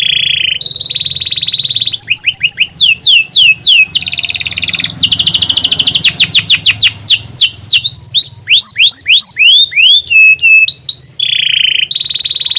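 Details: Canary master song, used to lure other canaries into singing: loud, high, rapid rolling trills and long series of repeated downward-sweeping whistles, shifting between sustained buzzy tones and fast chattering runs throughout.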